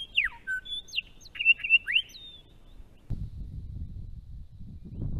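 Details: A Grey Shrike-thrush in Australia gives a short burst of rich, clear whistles, some swooping down and others sweeping sharply up, then low rumbling noise follows.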